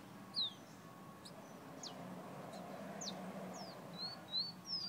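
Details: Red Guyana bird whistling: scattered thin, high notes, mostly steep downward slides, with a few short rising whistles near the end, over a soft background hiss.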